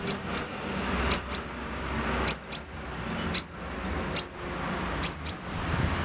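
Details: Crimson sunbird (sogon) giving loud, very high, sharp chip notes, mostly in quick pairs, repeated every second or so over steady background hiss.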